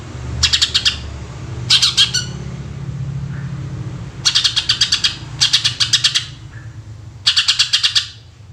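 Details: Greater green leafbird, 'gacor' shooting-style song used as a lure: five bursts of fast, harsh, machine-gun pulses at irregular gaps, over low rumbling background noise.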